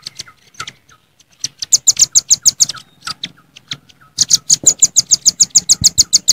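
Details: Several wild velvet-fronted nuthatches call noisily to rivals in the jontrot style, with bursts of fast, sharp, very high ticking notes, roughly three per second, interrupted by a brief pause and softer lower slurred notes.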